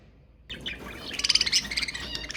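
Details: Budgerigars chattering to stimulate mating, starting abruptly after a short silence, then a fast bright twittering warble with rapid repeated notes.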